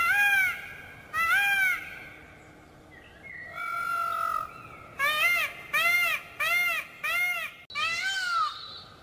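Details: Peafowl giving loud, drawn-out wailing cries, then a long drawn note, followed by a rapid run of five short arched honking calls and a final longer wail.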